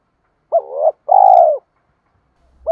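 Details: Lure call of a spotted dove, male or female, for provoking cock doves: a short rising coo running into a longer rolling, purring note, a faint start of another coo at the end.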